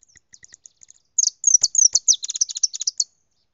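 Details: European goldfinch singing at full intensity: a few soft high chips, then a rapid run of bright twittering, tinkling notes, liquid trills and buzzy elements delivered in a fast, jumbled stream.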